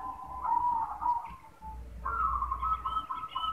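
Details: Male zebra dove calling: a rapid, rolling trill of soft coos on a steady mid pitch, breaking off and then resuming with a brighter, slightly higher run, over a low background rumble.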